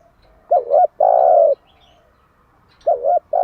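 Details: Morning song of a spotted dove used to lure and train doves to coo: a paired, bouncing short note then one sustained mellow coo, with the next phrase starting near the end.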